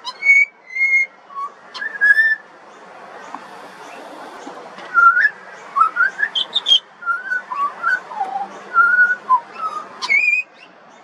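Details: Singing juvenile pied butcherbird from Australia, delivering varied fluty whistles, short level notes at first, then after a brief lull a quick sequence of rising, falling and wavering whistled notes.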